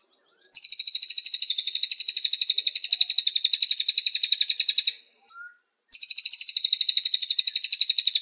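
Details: Training song of the Cililin, meant for tutoring kept songbirds in the morning or afternoon: a sustained, high, rapid rattling trill of steady pulses for over four seconds, a pause with a brief faint note, then the trill resumes.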